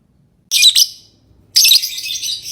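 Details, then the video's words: Two loud, harsh lovebird chirp bursts, the second a longer, drawn-out screechy chatter. "Love bird singing & chirping sounds"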